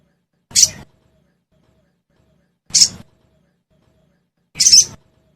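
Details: Sogon lure sound for caged birds: three harsh, hissing high bursts about two seconds apart, the last one longer and rougher, with silence in between.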